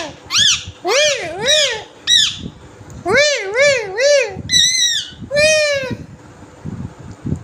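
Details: Green parrot talking in a quick run of wavering, speech-like syllables, some with rippling pitch, then higher whistled notes and a long sliding call, with a low background hum throughout.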